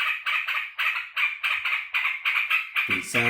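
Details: Sooty-headed bulbul kept as a caged pet, excited at its keeper coming home from work, chatters in harsh buzzy bursts, then a man's voice cuts in at the end.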